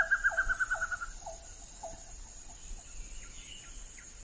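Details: A scarlet-rumped trogon in Thailand gives a quick run of about a dozen bright notes, then slower, lower, downslurred notes, over a steady high insect drone.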